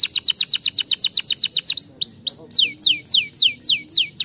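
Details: Canary song, played to stimulate lazy canaries into singing: a rapid, even trill of short chirps, then a few high upslurred whistles and a run of loud descending sweeps, all bright and high-pitched.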